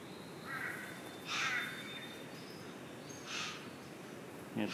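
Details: At O'Reilly's Rainforest Retreat, a male satin bowerbird holding a small blue object in his bill gives harsh, rasping churrs to a female that came down, in three short bursts, with a thin steady whistle and quiet human talk.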